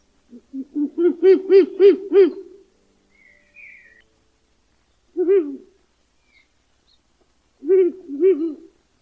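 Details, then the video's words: A Ural Owl (Strix uralensis) gives a run of six or seven deep, wavering hoots, then two shorter bursts of similar low notes after pauses. "Ural Owl (Strix uralensis)"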